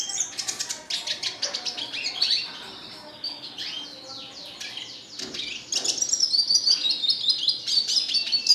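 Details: Red siskin in full, nonstop song: rapid stuttering chips, a drawn-out buzzy middle section, then a sweet high warbling twitter that rises in energy toward the end.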